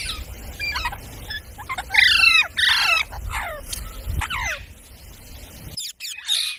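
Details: Talking parrot, pet bird mimicking human speech, shown in a compilation of parrot voices: bursts of loud, harsh, harmonic squawk-like syllables with sweeping pitch, in clusters, louder around the middle, then quieter chirps after a short silence.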